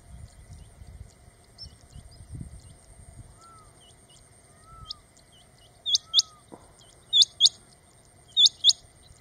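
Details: Male rain quail (Coturnix coromandelica) calling: sharp, metallic double notes repeated about every second, with soft scattered chirps from other birds and a steady insect-like hum underneath.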